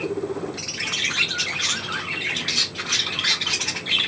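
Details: Pet budgerigars indoors, a small group near their owner: busy warbling chatter of harsh squawks and quick high chirps, starting after a short low noise and running on without break.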